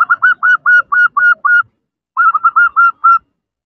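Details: Female zebra dove calling to attract a male, used as a lure: rapid, evenly spaced whistled coos on one pitch, about seven notes in quick succession, a pause, then another similar burst, with no other sounds.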